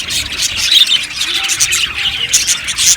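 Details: Budgerigars chirping together in an aviary colony, a dense continuous wash of overlapping high chattering chirps and squeaks with no pauses, many birds calling at once.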